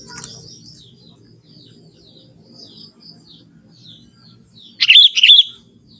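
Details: Young forest Sooty-headed bulbul: after a quiet stretch with faint high chirps, a single clear burst of rapid bubbly warbled notes near the end.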